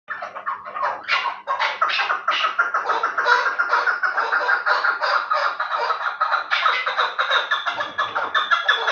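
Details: Chukar partridge of the Terali type, described as a fine fighting and hunting bird, giving a dense stream of harsh chuck notes that repeat rapidly and overlap throughout, with a steady low hum beneath.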